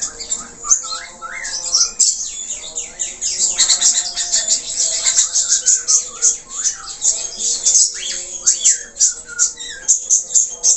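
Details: Budgerigar, an Australian parakeet, in vigorous gacor song full of varied notes: a long, dense, unbroken warble of scratchy chatter, rapid twitters and curling chirps, steady and loud throughout.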